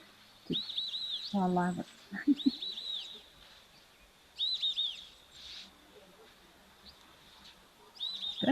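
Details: A pair of White-faced whistling ducks at an African waterhole, 3 November 2024, late dry season after some rain, give bursts of clear, high whistles in quick runs of three or four notes every few seconds; a man talks briefly.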